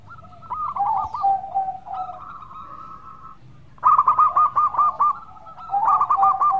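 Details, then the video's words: Melodious local zebra dove singing actively, used as a lure for other doves. A quick run of hooked, bouncing coos alternates with long level trills. Loud coo bursts return about every two seconds over a faint low hum. "Pancingan Perkutut Lokal Gacor Suara Merdu"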